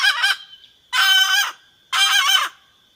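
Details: Red junglefowl hen calling to attract the rooster: three loud, harsh, nasal squawks, each about half a second long, spaced roughly a second apart, over a steady high insect-like whine.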